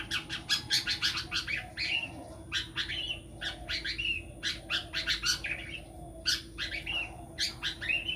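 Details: Long-tailed shrike, a bird billed as a future song-contest champion, delivering rapid bursts of sharp, scratchy high notes and chattering phrases in quick clusters with short pauses, over a steady electrical hum.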